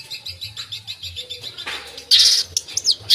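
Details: Long-tailed shrike singing actively with a full mimicked repertoire: soft high chirps, then from about two seconds loud, harsh, scratchy high bursts and sweeping notes. Low rumble in the background.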